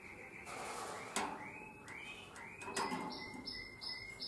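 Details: Nightingale-voiced canary from Drama, Greece, recorded in 2017, singing a series of soft rising whistled notes about every half second, then higher repeated notes, against heavy background hiss.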